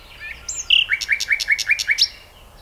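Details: Common nightingale singing: a high whistle and a short rising note, then a phrase (koleno) of six clear, evenly spaced notes near two kilohertz, each paired with a sharp click, repeated about seven times a second and ending in an upward flick. The background is quiet.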